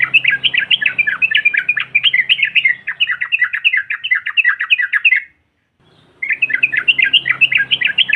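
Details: Female yellow-vented bulbul in ngropel style, a fast chatter used to provoke rival birds: dense runs of sharp, bubbling notes that rise and fall, a short silence, then the rapid chatter resumes.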